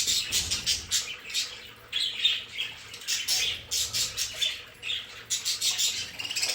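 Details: Pet budgerigars in their play space give a steady stream of sharp, high chirps and squeaky warbles, pulsing in short rhythmic bursts about every half second.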